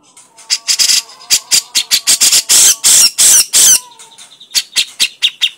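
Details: Harsh crecetan chattering of a grey-cheeked bulbul: quick, scratchy notes about three a second, broken in the middle by several loud, long, rasping bursts before short clipped notes resume.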